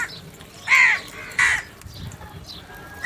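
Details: Crows squabbling over food give two loud, rasping caws close together, followed by quieter low rumbling noise and faint distant calls.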